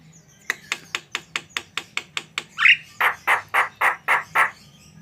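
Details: Javan myna giving a steady series of short dry clicks, about five per second, then a rough burst followed by six louder, harsher squawking notes at an even pace, over a low hum.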